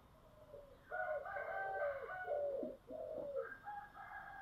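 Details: Spotted dove singing in the giọng thổ style: low coos rise and fall around a steady phrase, with higher whistled overtones, over a constant hiss of background noise.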